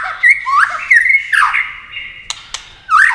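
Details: White-rumped shama in fast competition singing while flicking its wings and playing its tail: loud whistled phrases swooping up and down with rich overtones, a long level whistle, two sharp clicks, then a final twisting flourish.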